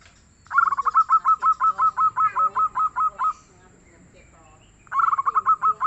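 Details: Local zebra dove (perkutut lokal), described as a soft-toned, frequent singer: two bursts of rapid, staccato cooing notes, the first a long run of about a dozen evenly spaced beats, the second starting after a short pause.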